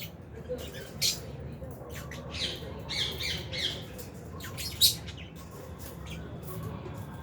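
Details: Albino and Fisher's lovebirds in an aviary colony, around feeding: scattered shrill, squawky chirps from several birds over steady low background noise, with one louder sharp chirp near the end.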